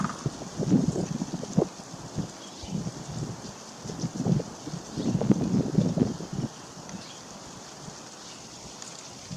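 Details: Gusty wind buffets the microphone in uneven low rumbling bursts with some leaf rustling, and no animal voice or drumming stands out.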